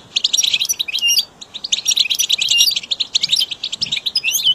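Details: Goldfinch song for training caged birds: dense, continuous high twittering and tinkling notes, rapid and jumbled, with brief pauses, over a low background hiss.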